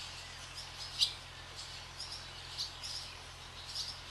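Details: Barn swallows skimming across the sky above a swallow farm; a few short, sharp high chirps at irregular intervals over steady low background hum.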